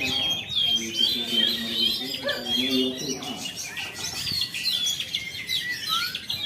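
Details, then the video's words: Song of a Jakarta-kept black drongo after moulting: rapid chirps and whistles repeated about twice a second, some sharp rising slurs, with background voices and hum. "Kacer Gatotkaca milik.Mr.ofta jakarta selesai mabung."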